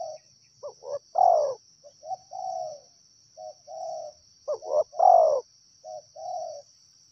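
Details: Two wild spotted doves coo: a loud phrase of short notes and a long falling coo, answered by softer drawn-out coos, repeating twice, with continuous high insect buzzing.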